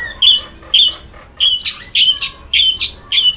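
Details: Long-tailed shrike singing energetically, recorded as training audio for lazy singers: ringing, slightly harsh high notes in pairs, repeated roughly every half second.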